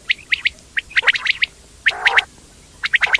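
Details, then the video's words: Quail uttering clusters of short, bright chirps in quick groups of three or four, with one lower buzzy rasp in the middle; calm, quiet background. "quail sound effect/quail bird sound/quail sound effect video/indan quail bird sound/ batair ki Awaz"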